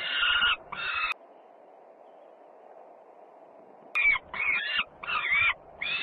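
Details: At a nest in Włocławek, Poland, on 3 June 2010, a peregrine falcon, the young sister Luna, arrives home noisily, giving six harsh, grating half-second calls: two quickly, a three-second pause, then four more, over a low rumbling hum.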